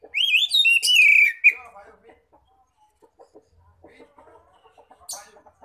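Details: Oriental magpie-robin in loud ngeplong song, played to draw in other magpie-robins: a strong, fast run of high whistled warbles lasting over a second, followed by quiet, irregular clicks and a brief chirp near the end.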